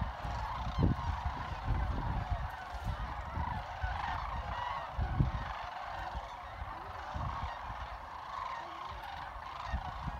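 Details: Sandhill cranes trilling and chatting together at Jasper Pulaski Fish and Wildlife Area, a steady wash of many overlapping rattling calls resembling crowd noise, with bursts of low thumping wind noise throughout.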